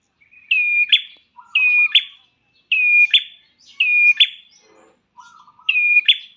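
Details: Prenjak klawu prinia used to lure caged birds into song: steady run of high whistled notes ending in harsh buzzy bursts, about one per second, with occasional softer low chattering notes.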